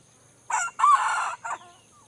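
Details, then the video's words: Aceh junglefowl from Indrapuri crowing: a short harsh opening note, a long strained middle phrase and a brief clipped final note, about 1.2 seconds in all, over quiet background. "Ayam Hutan Aceh"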